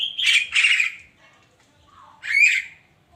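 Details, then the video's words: Javan myna morning song: a pair of rough, grating squawks back to back, a soft low note, then a louder rasping call with a sweeping whistled edge. "kicauan burung kerak di pagi hari"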